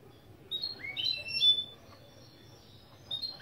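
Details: Goldfinch × canary mule giving intro song phrases from a lesson recording. Brief high whistled notes and upward-sliding slurs, a short burst, then quiet and one more rising slur at the end.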